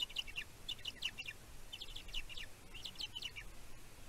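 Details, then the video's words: Bald eagle chick at the Two Harbors nest on Catalina Island, California, USA, 15 June 2023, picked up by a nest camera while calling about its mother's food deliveries. It gives quick bursts of high, sharp, descending chirps in clusters, with light background hiss. "Anthony have a lot to say about Mom,s deliveries."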